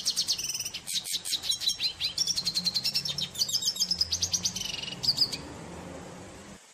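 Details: Red siskin, a small finch also called cardenalito, singing a long, rapid twittering song of high chirps and buzzy trills, with pulses repeated several times a second for about six seconds. A faint low hum runs underneath.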